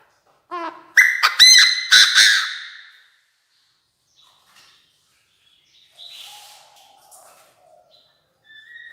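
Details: Chinese francolin used as a decoy, crowing hard to call its flock: a brief low stuttered lead-in, then four loud, grating, strongly harmonic notes in quick succession, followed by quieter distant bird notes and faint background sounds.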